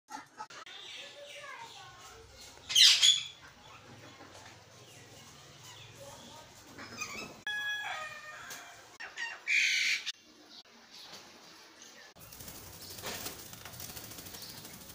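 A myna gives harsh, squawking calls and chattering notes in a few loud bursts, with a hissy background and some rustling.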